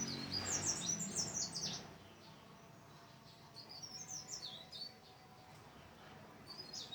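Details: Lively song from a mountain leaf warbler: a loud rapid cascade of high zigzag chirps, then softer repeated phrases of similar thin, jumping notes, with quiet background.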